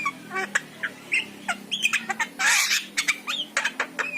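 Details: Yellow-eyed Javan myna singing, played to prompt a pet myna into song: harsh squawks, short rising whistles and clicks in quick irregular bursts, with a louder buzzy rasp near the middle.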